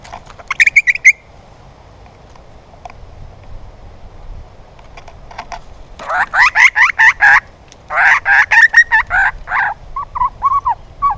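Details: A juvenile male Grey Butcherbird sings a rambling run of rich, slightly scratchy notes in quick bursts, with a short phrase, a pause, then longer excited passages.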